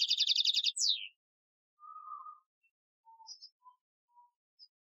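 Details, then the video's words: Algerian-style European goldfinch training song from 2015: it opens with a rapid high twittering trill that ends in a falling slur, followed by soft scattered lower notes and faint chips in near silence. "Chardonneret Chant Algerien 2015 , chant de dressage"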